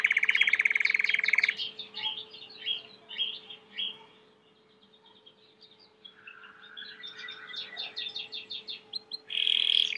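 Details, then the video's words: Belgian canary, domestic, singing more softly: a pulsed trill opens, followed by loose chirps and twitters, then a bright trill at the end, over a faint steady hum. "CANARIO CANTAR MUITO 20 MINUTOS DE CANTO"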